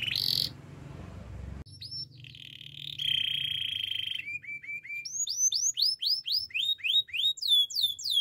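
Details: Canary singing a training song: a harsh opening burst, buzzy held tones and short level whistles, then downslurred notes that quicken into a lively run.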